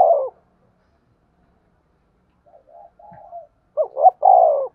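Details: Caged spotted dove used as a decoy for lime-stick trapping: the end of one coo, faint softer notes, then a full phrase of two short notes and a drawn-out falling coo.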